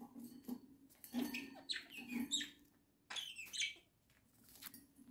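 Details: Pet budgerigars kept as a home flock chattering in a dense scratchy warble of clicks and chirps, with a pause and low murmuring underneath.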